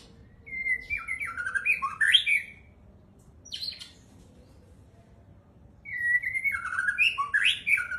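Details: White-rumped shama singing two similar phrases of stepped whistled notes climbing and falling, separated by a short high buzzy note and a few seconds of quiet.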